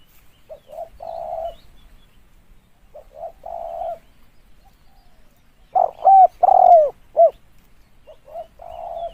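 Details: Spotted dove calling, used as a lure for trapping: soft low coos followed by loud paired hooting notes with a falling tail, phrases separated by pauses; quiet background.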